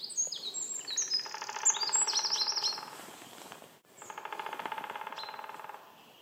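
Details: White-backed woodpecker in Sweden drumming: two long, rapid, evenly spaced rolls, each lasting about two seconds with a short pause between, while other songbirds give high thin whistles and chirps at the start.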